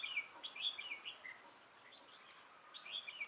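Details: A decoy red-whiskered bulbul calls during a bird-trapping session on 6 November 2018, giving quick, tumbling whistled chirps in a lively run, a short lull, then another warbling phrase.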